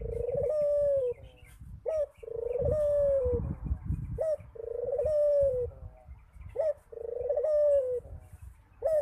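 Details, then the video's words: A Barbary dove calling often gives a low, rolling coo with a short rising note, repeated about every two to three seconds, over faint background noise. "Suara Burung Puter Rajin Berbunyi"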